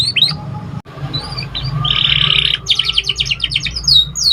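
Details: Juvenile canary in early song learning: scattered upslurred whistles, then a buzzy sustained phrase, followed by a fast run of repeated sharp chirps about five per second, low background hum throughout.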